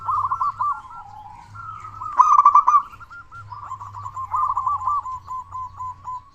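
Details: Local zebra dove with a loud, big voice, a frequent singer used as a lure to get other zebra doves singing. It gives rolling, trilled cooing phrases at a steady pitch with a louder burst midway, and a low hum beneath.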